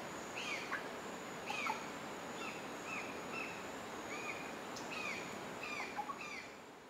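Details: Pale-billed woodpecker coming and going at its nest in Pico Bonito, Honduras: short, nasal, down-slurred notes, about a dozen in seven seconds at an uneven pace, over a steady high insect whine.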